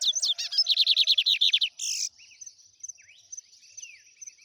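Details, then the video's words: Lined seedeater song in the trem bala style: a rapid train of clipped buzzy notes, then a short harsh rasp, trailing into faint high thin chirps and brief down-slurred calls. "BIGODINHO TREM BALA. ADMIRE ESSA LINDA AVE E SEU CANTO BELÍSSIMO"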